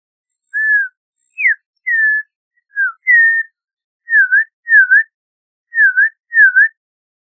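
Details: Audubon's oriole song: leisurely pure whistles, first varied slurs up and down, then paired dipping notes repeated in a steady rhythm, against silence.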